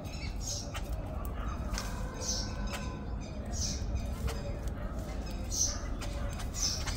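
Jungle babblers give harsh, squeaky, high-pitched squawks roughly every one to two seconds over a steady low rumble of background noise.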